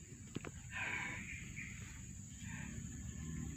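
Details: Tame fantail in the wild: a few thin, clear whistled notes around the first second, then softer repeated whistles later, over a steady low hum, with a brief human voice at the start.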